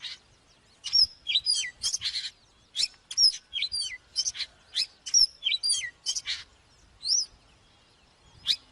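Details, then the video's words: Oriental magpie-robin singing for bird training: rhythmic series of sharp high whistles and chips with short dropping slurs, about half-second bursts, fading to sparse notes near the end. "เสียงนกกางเขนบ้านหรือนกบินหลาขี้ควายใต้ CĂNG QUÁ || CHÒE THAN CĂNG LỬA || HÓT MÚA CỰC PHÊ"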